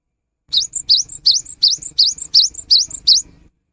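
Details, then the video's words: Gelatik batu, the cinereous tit, in full steady song: ten quick upward-sweeping high whistles, each followed by a brief higher note, repeated almost three times a second in one unbroken three-second run. "Suara GELATIK BATU GACOR"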